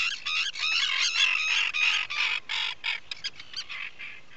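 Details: Atlantic puffin calling inside a nesting burrow on Seal Island National Wildlife Refuge, Maine, in a breeding colony, 12 July 2018 around dawn; dense rapid high chirping notes run together, then break into shorter separate bursts.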